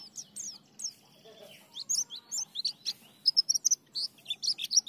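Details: White-eye in lively ngriwik, nembak and ngalas song: a dense run of very high, sharp chirps and short whistles, with scattered notes building into fast, loud, evenly spaced bursts near the end, above a faint steady hum.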